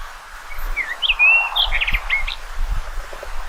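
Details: Rufous-tailed rock thrush song: a quick run of clear whistled slurs and short twittering notes, some rising, others dropping, delivered in a lively phrase over faint low rumble and rustling.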